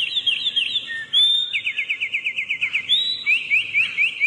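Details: Energetic wren song made of fast, metallic trills at a high pitch. A sharp rising whistle breaks the trills, then a second rapid rattle follows.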